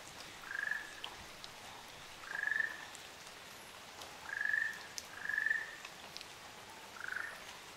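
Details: Ryukyu Ruddy Kingfisher pair on Amami Oshima, Japan: a series of trilled calls near one pitch, each under half a second, repeated about every one to two seconds, with light ticking of raindrops in the background.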